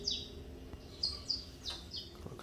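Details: Saffron finch of the mineirinho type, recovering from moult, gives a few separated high, falling whistled notes over a low background hum.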